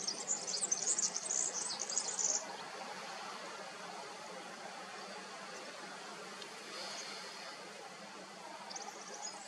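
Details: Black redstart in northern Extremadura near Plasencia, Cáceres, Spain, giving high, scratchy crackling phrases, a long burst at the start and shorter ones later, over a steady background hiss.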